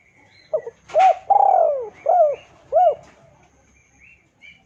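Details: Lure recording of a spotted dove calling a rival: a short note, then a long falling coo followed by two brief arched hoots, evenly spaced, with soft chirps from other birds in the background.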